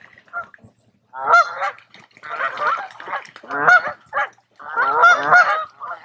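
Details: Geese at a quiet woodland lake at a resort in Tamiment, Pennsylvania, in July, giving loud nasal honks in clustered bursts separated by short pauses.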